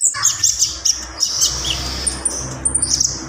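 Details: Gacor Javan pied starling delivering full isian song: rapid squeaky high chatter and sharp whistled notes over a steady background hum.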